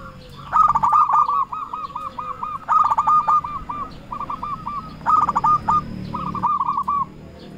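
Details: Zebra dove of local stock, singing keenly as a lure to summon rivals; long rippling runs of quick cooing notes repeat about every two seconds over a low background rumble.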